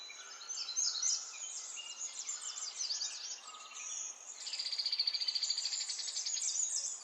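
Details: Songbirds in a spring setting: varied high chirps and short twitters, then a long buzzy trill of rapid, evenly pulsed notes lasting about two seconds before the chirping resumes.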